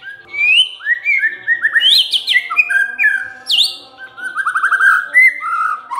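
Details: Continuous, loud white-rumped shama song intended to trigger other birds to sing: rolling whistled phrases, rapid trills and a sharp downward-swooping high note, delivered in a fluent, varied stream.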